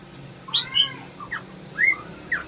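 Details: Red-whiskered bulbul giving a short run of separate notes: a couple of high sweet whistles, then slurred downward and upward chirps spaced by brief pauses.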